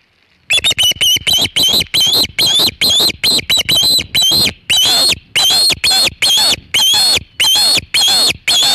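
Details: On the Hog Island Osprey nest, 27 August 2019 at about 3:50 pm EDT, with a big shad, an osprey bursts into a long, rapid series of loud, ringing whistled chirps, close together, continuing for eight seconds.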